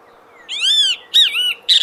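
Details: A great kiskadee (bem-te-vi) calls in the forest with its loud, nasal three-part call: a long arched note, then two quicker, harsher ones, all in under two seconds against a faint low hum.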